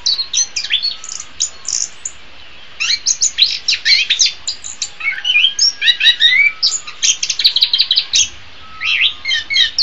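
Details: Anis kembang, the orange-headed thrush, in a masteran recording: a long, continuous run of quick, high, chirpy and twittering notes in varied phrases, with brief pauses between phrases.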